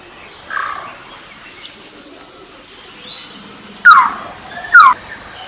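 Malabar trogon giving two loud, mellow, downslurred notes about a second apart, after a fainter note early on; otherwise a quiet background.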